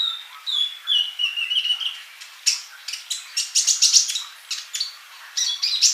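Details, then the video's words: Sunbird in active 'gacor' song for a songbird training recording: opens with a long, wavering whistle slurring downward, then breaks into rapid, piercing high chirps and short twittered bursts. "MASTERAN UNTUK BURUNG COLIBRI GACOR !!"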